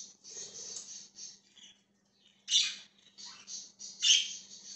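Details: Budgerigar chirping, recorded January 20, 2023: harsh, scratchy chattering bursts, several louder squawky notes near the end, with a faint steady indoor hum underneath.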